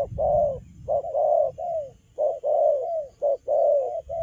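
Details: Moulting young wild-caught spotted dove cooing hard in the cà lăm lỡ stutter style, hoarse low notes bunched in uneven pairs and triplets, several long notes gliding down at their ends.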